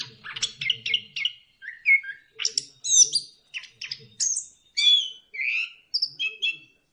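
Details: Orange-headed thrush singing to stimulate other birds: a continuous varied warbling of clear whistles, rapid twittering notes and high slurred phrases, some mimic-like, with faint low murmuring in the background.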